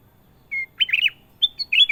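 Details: Sooty-headed bulbul song, clear and energetic: a plain whistled note leads into a fast, bubbling, warbled phrase, followed after a brief pause by more sharp, sweet whistled notes.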